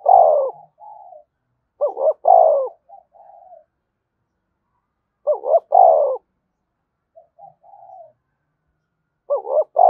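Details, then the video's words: Repeated spotted dove coo meant to stimulate other doves to coo: paired short notes running into a loud, sustained low coo, three phrases, with soft trailing mutters after each. "cu gay kich boi nhanh noi gù"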